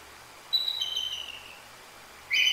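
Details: Short excerpt from a nesting Bald Eagle pair calling after a Great Horned Owl hit the sleeping female on her night perch, 2 January 2024: a thin, high whistled note slides down, then a sharp new squeal begins.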